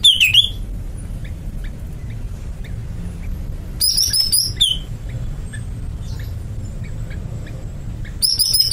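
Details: Caged greater green leafbird repeating short phrases about every four seconds, each a rapid burst of high clear whistles slurring downward, with faint chips between them and a low rumble beneath.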